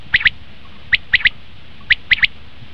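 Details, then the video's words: Common quail calling, a recording used as a lure for quail hunting: clear, sharp three-note phrases, a quick first note then two closely paired notes, repeated about once per second. "batair ki awaz"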